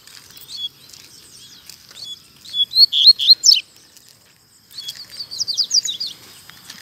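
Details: In a town square, a Double-collared seedeater sings two loud phrases. Each is a quick series of high, clipped, down-slurred notes about two seconds long, separated by a short pause. Soft twittering lies underneath.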